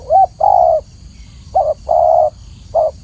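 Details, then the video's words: Spotted dove cooing clearly in alternating short and long low notes, a brief coo followed by a drawn-out one, repeated without break over steady background hum. "masteran burung tekukur atau spotted dove suara jernih"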